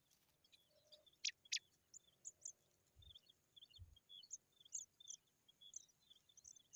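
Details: Pipit caring for its chicks: thin, high chirps and tweets. Two sharp, bright notes come early, then a loose run of soft, quick, high chirps. Low thumps sound in the background.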